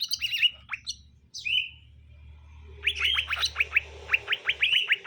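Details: Male and female greater green leafbirds being introduced as a pair, both described as vocal. A few sharp whistled and chirped notes open the recording. After a low hum, a rapid run of steeply rising chip notes continues to the end.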